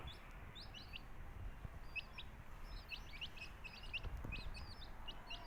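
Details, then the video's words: Baby country chicks in a Tamil backyard flock giving clear high peeps, each a short rising-then-falling whistle, scattered irregularly over low steady background hum. "Cute Baby Chicks Chirping Sounds"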